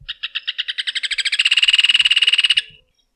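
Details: Rufous hornero, also called joão-de-barro, singing a rapid rattling series of sharp notes that speeds up into a dense, accelerating trill before stopping suddenly, with no other sounds in the background.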